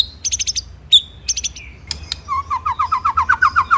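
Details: White-rumped shama master song for training birds: short high rattling bursts, a clear whistle, then a quick run of lower repeated chattering notes.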